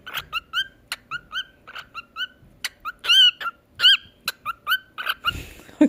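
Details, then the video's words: Cockatiel being taught to talk and sing utters a quick run of short, harsh chirped notes, about three each second. Several longer squawks break the series, and a scraping noise closes it. "تعليم طائر الكوكتيل الكلام والغناء"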